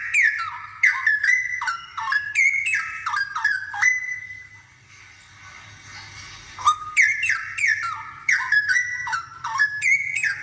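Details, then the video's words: Actively singing straw-headed bulbul, played so that other birds of its kind learn to sing: two long bursts of loud, bubbling, liquid whistles with sharp downward swoops, split by a quieter gap of about three seconds, low hum behind. "Suara cucakrowo gacor"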